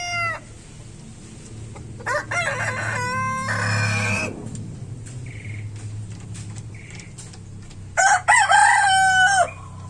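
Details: Rooster crowing in two bursts of harmonic, drawn-out crows with a steady low hum underneath and a few short faint tones between them.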